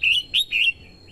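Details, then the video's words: Red-whiskered bulbul female singing to stimulate the male and lure wild birds: three bright, slurred whistles in under a second, the first and third drawn out, then a soft fading note. "TIẾNG CHIM CHÀO MÀO YẾU LỬA HÓT KÍCH BỔI MỞ MỎ HÓT SỔ CĂNG LỬA"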